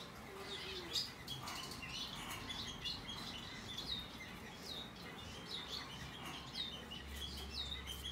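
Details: Hand-tame rosy-faced lovebird chick of the white-faced Australian cinnamon colour, recorded 3 April 2022; soft, high, short chirps recur irregularly throughout, some dropping slightly in pitch, over a low steady background hum.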